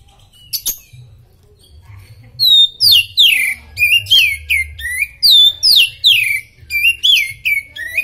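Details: Superfit Oriental magpie-robin (kacer) singing masteran material: after a brief opening note, a rapid run of rich whistled phrases with downward-slurring notes and sharp chips, delivered almost continuously over faint low rumble.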